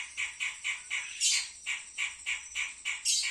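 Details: Pied triller in the wild delivering evenly spaced, slightly harsh chirps roughly four per second, with two brighter accented notes, against a continuous high-pitched tone.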